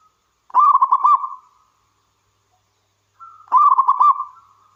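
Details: Wild local zebra dove in lively singing form, used to lure and prompt other doves to sing: two rapid, pulsed cooing phrases, each about a second long with a soft lead-in note, separated by silence.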